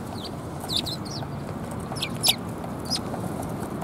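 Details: Sparrows arriving to be fed at a Tenmangu shrine on 18 March 2021, giving bright clipped chirps in small bursts, some paired, above a steady low hum.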